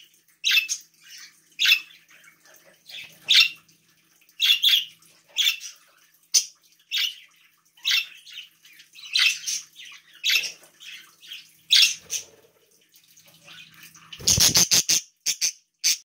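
A budgerigar gives bright, chirpy contact calls about once a second, calling out to other budgies.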